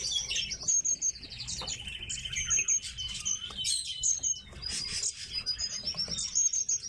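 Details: Several tits kept in captivity call at once: short sharp high chirps and brief thin whistles, in irregular bursts with quiet gaps between them.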